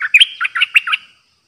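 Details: Caged decoy Streak-eared bulbul delivering pure 'dok' style song, May 2022. A single rapid phrase of six or seven liquid, chirping notes rising and falling, ending crisply into silence.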